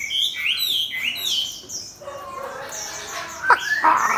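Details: Fighting-style hwamei, caged beside a rival, starts with high upward-sweeping whistles, then softer scattered notes and two sharp loud clicks near the end.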